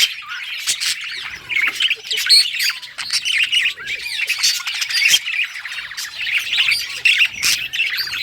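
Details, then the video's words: Budgie chattering in a cheerful song of dense, high squeaky warbles and short chirps, nearly nonstop, with occasional sharp clicks. "Budgie singing happy | Birds chirping | Parakeet happy life"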